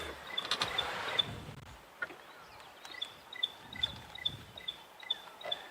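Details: Stierling's wren-warbler, a tiny bird high in treetops, on a sunset safari on 25 January 2022, gives a steady series of high, piping notes, two or three a second, like a ringing telephone; low engine rumble early on.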